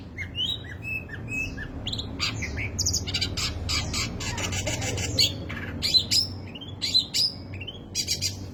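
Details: Long-tailed shrike delivering rich, disorderly song: rising and falling whistled slurs at the start, then harsh squawking bursts and sharp high notes in irregular spurts, low hum throughout.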